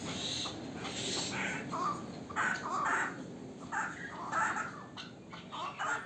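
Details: Local chukar partridge, a bird from last year's brood, uttering harsh, spaced, grating phrases roughly once every second or two, each rising and falling, over a faint steady background hiss.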